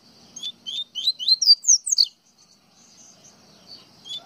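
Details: Single phrase from a Pernambuco double-collared seedeater, known locally as coleiro baiano: clipped rising notes accelerate and climb, ending in a loud piercing high note.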